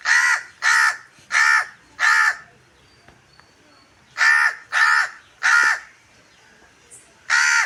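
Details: A crow caws to call others of its kind in a green natural setting among gooseberry trees. It gives harsh, raspy caws in two bursts of four, each about half a second long, with a quiet pause between the groups.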